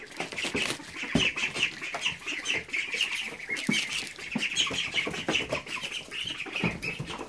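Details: Domestic ducklings in an indoor brooder on day 23, eagerly eating lettuce and peas. They give a steady stream of thin, high peeps in quick overlapping bursts, mixed with soft pecking and dabbling clicks.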